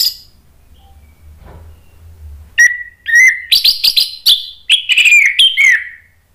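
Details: Orange-headed thrush singing to draw replies from other thrushes: after a quiet start, a clear whistled note, then a fast, busy sequence of sharp chirps and slurred whistles, mostly high-pitched, ending in a downslurred phrase.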